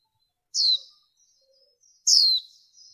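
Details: Two shrill, descending chirps, about one and a half seconds apart, from a female warbling white-eye; the recording was noise-reduced for use as a 2023 lure to excite males.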